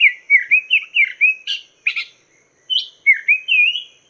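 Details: Chinese hwamei master song for teaching cage birds: a fast run of bouncing slurred whistles, a few harsh bursts, a short silence, then rising looping whistles that end in a sustained note.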